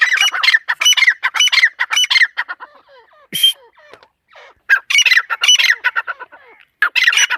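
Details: Raspy, buzzy notes from a female partridge, delivered in quick repeated series, broken by a single shrill squeal and a brief lull before the harsh chatter resumes.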